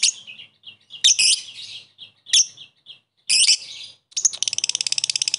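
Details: Fighter lovebird, played as a lure to make a rival bird chatter: a few separate harsh squeaky chirps with pauses, then a quick run of clipped, rattling notes at the end.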